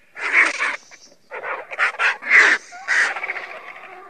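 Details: Griffon vulture (Gyps fulvus) giving a quick series of about six harsh, raspy, cackling bursts over four seconds, each hoarse and noisy, with brief gaps between and a faint thin tone near the end.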